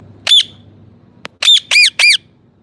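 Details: Loud harsh squawks from a parrot: one single cry, a short click, then three squawks in rapid succession about a quarter second apart, in quiet surroundings.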